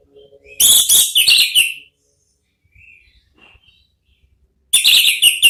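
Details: Orange-headed thrush singing ngeplong therapy song meant to provoke answering: a loud, dense phrase of rapid high trills and whistles, faint soft notes in the pause, then another strong burst.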